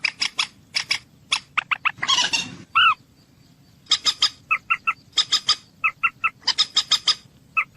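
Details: Common moorhen: quick series of clipped, clucking notes with a brief harsh burst and one nasal croak, then more rapid repeated clicks and clucks. Background is quiet.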